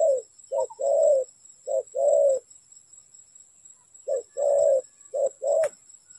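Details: Low, hollow cooing of a spotted dove during trapping, short and long notes alternating in two bursts with a silent gap between them, and a sharp click near the end.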